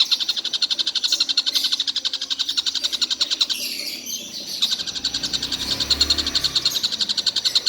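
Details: Collared kingfisher, reportedly calling the whole day nonstop, gives a rapid chain of sharp notes that briefly falters near the middle, mixed with a short sweeping sound, then resumes its even rhythm, with low background rumble.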